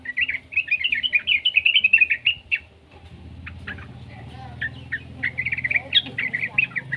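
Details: Young yellow-vented bulbul, played to coax other bulbuls into song: fast, bubbly high chattering for over two seconds, a pause filled with low rumbling noise and a few sharp notes, then chattering resumes.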